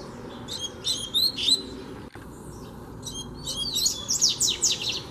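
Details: Wild double-collared seedeater coming close to confront a caged one: a quick run of high whistled and buzzy chips, a short pause, then a denser rising twitter of sharp notes near the end.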